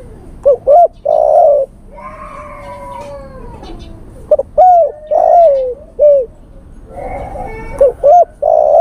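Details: A male spotted dove calling to a female, used as a lure call, coos in soft, low phrases of two quick hoots followed by a longer rolling coo, repeated three times with brief pauses.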